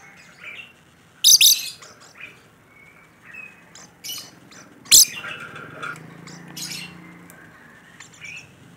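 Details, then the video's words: Rainbow lorikeet calling vigorously: two loud rasping screeches a few seconds apart, separated by softer squeaks, buzzy chatter and short whistled notes. "Suara Burung Nuri Pelangi Gacor"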